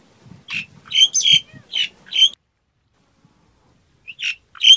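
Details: A few short, rasping, squawky notes from a myna in quick succession, then a pause and two or three more harsh chirps at the end.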